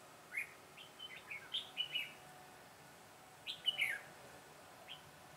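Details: Red-whiskered bulbul kept as a decoy for trapping wild birds, recorded 22 September 2017; short bright warbled phrases rising and falling, grouped in two bursts with a pause between, over a quiet background.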